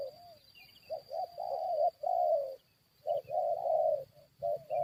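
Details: Spotted dove being lured by a decoy to fight wild birds: two bursts of cooing, short notes building into long rough coos, separated by a quiet pause, with a steady high whine and a few faint chirps.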